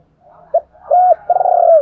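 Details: Decoy spotted dove calling to stir wild doves into cooing back: a brief low note, then a longer arched coo and a drawn-out, rapidly throbbing coo that falls at the end, all low-pitched and mellow.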